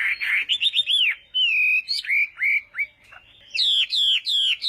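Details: Chinese hwamei practicing its morning song: loud, varied whistles, a buzzy opening, then long slurred and falling notes, a short pause with a soft click, and a final series of ringing up-down whistles.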